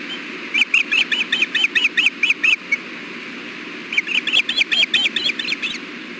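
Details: Osprey pair at the Hellgate nest, recorded by nest camera at 4:00 pm on 6.4.16 during a fish delivery as the male feeds the female bites. Two bursts of about ten sharp, high chirps in quick succession, over steady background hiss.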